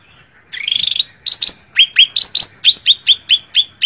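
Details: Cak ranting bird calling a rival: a short buzzy rising burst, then a bright sharp chirp repeated about five times a second, each note sliding upward, continuing steadily to the end.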